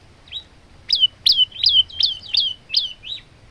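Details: Male olive-backed tailorbird song used to train other birds: a run of seven or eight high notes, each with a sharp start dropping into a short whistle, given about three per second.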